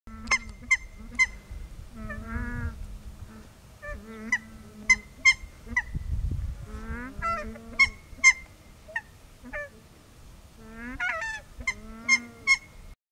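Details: A pair of Nene (Hawaiian geese) walking and calling: low moaning honks with nasal harmonics broken by sharp clicking notes, in bursts every second or two, and the second goose answers.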